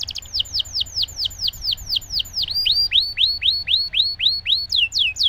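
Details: Canary singing a long roll to stimulate silent canaries: a steady series of downward-curving whistled notes, about four per second, shifting to a lower, rounder swoop midway.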